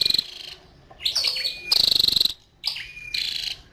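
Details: High, rapid buzzing trills and sharp descending chips from a female scarlet-backed flowerpecker, with brief silent gaps between bursts.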